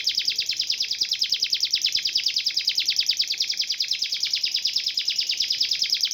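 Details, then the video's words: Canary used as a tutor bird for songbird contests, singing a long unbroken song said to resemble a cililin or woodpecker more than a typical canary: a steady, very rapid rattling trill held for over six seconds at high pitch. "GACOR DURASI PANJANG, MATERI SEJALUR RAPAT"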